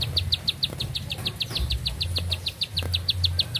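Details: Bar-winged prinia in full song, delivering a long run of quick, clipped high chips repeated at a steady fast pace over a low background drone.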